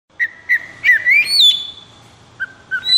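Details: Oriental magpie-robin in 'konslet' condition, high breeding drive and agitation, singing: clear whistled notes near one pitch, then a long rising slurred whistle and a sustained tone, ending with short repeated whistles.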